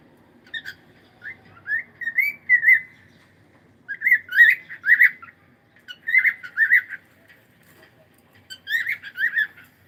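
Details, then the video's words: Pet cockatiel chattering during a live stream: repeated groups of three to four quick warbling whistled chirps, each group about a second long, returning every two seconds in a quiet room. "Cute Cockatiel"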